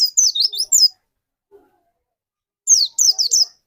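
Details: Lure white-eye singing to trigger another bird's song, giving two short bursts of sharp, high zigzagging chirps about two seconds apart, with near silence between them.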